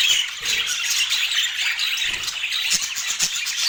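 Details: Feeding budgies give a short burst of dense, high, squeaky chatter. Rapid chirps overlap continuously, with slight swells in loudness. No music or talking.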